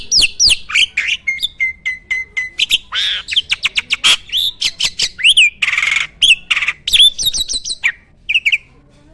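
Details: Farm starling in energetic 'gacor' song: rapid upslurred whistles, a string of flat repeated notes, quick ticking chirps and a harsh hissing burst mid-phrase, ending in a few scattered whistles before quiet.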